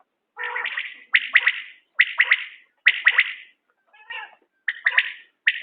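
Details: Common quail calling: a repeated series of sharp, liquid two- and three-note bursts, roughly one per second, with brief silent gaps between phrases and no other clear sounds.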